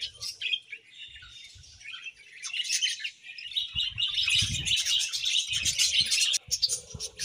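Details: A budgie colony kept at home, described as happy, chattering in dense, rapid high chirps and warbles that build steadily louder, with soft low thumps in the background.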